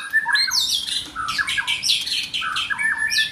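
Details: Song of a white-rumped shama in form building: dense, varied whistled and warbled phrases, fast slurred notes jumping between registers, almost no pauses, with a faint steady hum underneath.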